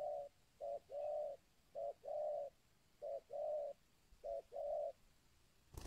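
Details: Local-style spotted dove used as a lure for wild doves, cooing in steady pairs, a short soft note followed by a longer low coo, four times in a row against faint background hiss.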